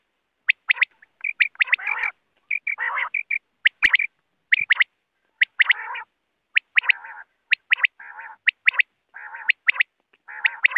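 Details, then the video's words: Quail calls used as a hunting sound: sharp rising chirps in pairs alternating with buzzy, rasping harmonic notes and short whistles, delivered in an uneven stream about once a second, with a single sharp click and otherwise silent background. "Bater ki awaz Quail voice || Quail sound for hunting"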